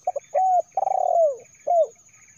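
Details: Spotted dove, locally terkukur, calling as a lure for trapping wild birds: a short double note, then a clear hooting coo, a longer rolling, trembling coo falling at its end, and a final falling coo, over a steady high electronic whine.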